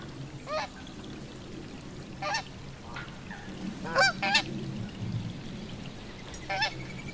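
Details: Canada goose recorded in the wild: several loud nasal honks spaced irregularly over a few seconds, some doubled, over a low background rumble and trickling water-like noise.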